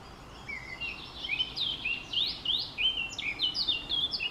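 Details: Blackcap song, a rapid, rich warble of bright fluting notes with rising and falling slurs, growing louder through the phrase over quiet background hiss.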